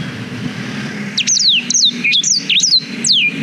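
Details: Song of a black-throated canary, used to teach young canaries and captured with a GoPro Hero 5: a lively phrase of high sweeping whistles, quick down-slurs and hooked upswept notes, over a faint low hum.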